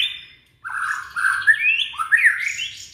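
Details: Song of a young Indonesian white-rumped shama, used to coax silent shamas into song: a short whistle, a gap, then a rich run of rising slurred whistles with sharp accented peaks.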